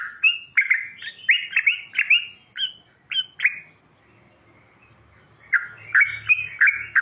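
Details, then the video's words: Wild yellow-vented bulbul singing loudly: bubbly, slurred liquid notes in quick phrases, a pause near the middle, then a fresh burst of warbled notes. "Burung trucukan gacor mengelegar"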